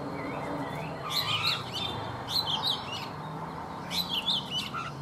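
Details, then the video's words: In the morning a caged, wild-caught Oriental magpie-robin kept three seasons repeats a short twisting whistled phrase three times, separated by pauses, with a lower slurred whistle between, over low steady noise. "Chòe Than già rừng - 3 mùa lồng hót buổi sáng"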